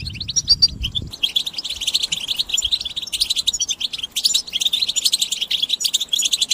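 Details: Massed European goldfinch chatter of mating and readiness calls, used to stimulate males to sing: after a second of low rumble, a continuous stream of high, rapid twittering and tinkling notes with buzzy bursts.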